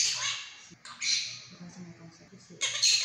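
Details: Pet monk parakeet speaking learned Mandarin phrases: a hoarse, breathy phrase followed by a second after a short pause, then a sharp closing burst, over faint low background sound.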